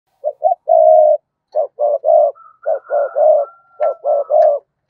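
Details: Spotted dove kept as a lure bird, calling to attract wild doves: a series of husky coos in short bursts and longer held notes, grouped roughly every second or two, with a thin steady high whistle running above part of the series.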